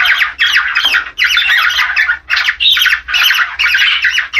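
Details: Budgerigar breeding call: loud, rapid scratchy warble delivered in phrases of about half a second with brief gaps, full of quick chirps and buzzy squawks.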